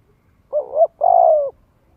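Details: One spotted dove phrase used as a lure to get young birds cooing: a double-humped wavering note, then a long, gently falling coo.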